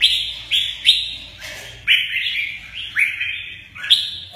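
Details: Red-whiskered bulbul singing in the "mơ ché nẹt" manner while playing its wings; loud, clear whistled notes, each with a sharp start and a short rising slur, repeated about every half second.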